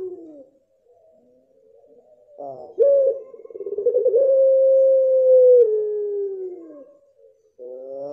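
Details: Mottled (blorok) pelung dove cooing: a short harmonic note, then a loud swelling pulsed rattle that smooths into a long steady coo, stepping down and fading near the end. Another harmonic note starts at the close.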